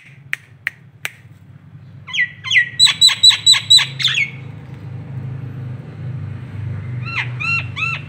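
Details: Nias hill myna in local masteran training, giving sharp clicks, then a rapid run of six loud harsh notes, followed by quick bright downslurred whistles; steady low hum underneath.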